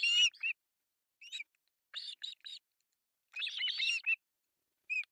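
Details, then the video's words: Osprey chicks, three young at a Finnish nest-cam site in Pohjois Satakunta, begging at a July 1, 2024 breakfast feeding: shrill, piping chirps in short clusters separated by pauses, ending in a burst of overlapping squeaks. "Breakfast feeding to three osprey babies"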